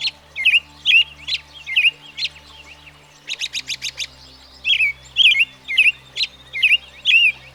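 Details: American Robin caroling in quick slurred phrases, steady and mid-pitched, interrupted midway by a rapid burst of sharp ticking notes before the warbled phrases resume.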